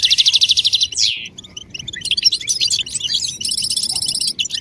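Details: European goldfinch calls and song used to stimulate males to sing and break their silence: fast, evenly pulsed buzzy trills, a downward-sweeping note, then bright tinkling twitters and another rapid rattling trill.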